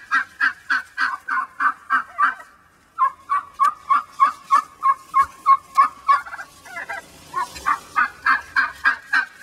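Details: Angry laying hen, put back into the large pen after the other hens nearly killed her, gives a rapid run of loud turkey-like clucks, about three per second, evenly spaced, with a brief pause midway.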